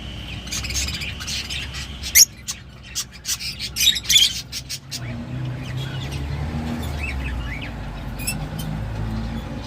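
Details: Lovebird calling with shrill, high chirps and squawks, clustered in loud bursts around the middle, over a steady low hum and faint background noise.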